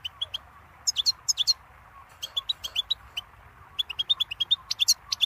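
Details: Goldfinch song: bright, high twittering with rapid chirps and ringing, buzzy notes in dense clusters, getting busier toward the end, over little background noise.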